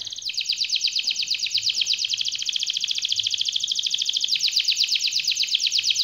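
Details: Canary delivering an unbroken rolling trill for six seconds, a fast, even, high-pitched roll with slight shifts in tone, sung to stir lazy canaries into song.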